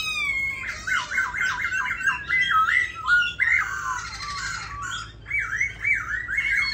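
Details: A tame, pink-legged caged black laughingthrush sings a loud, rich run of rapid, down-slurred whistles; harsher, squawky notes break in midway before ringing whistles return. Nothing else is heard.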